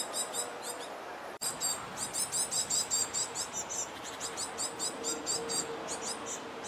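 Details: Great tit fledglings near a bridge chase their parents, begging to be fed with a rapid stream of thin, high, hissy chirps. Several birds overlap in pulses about three per second over a faint steady hum.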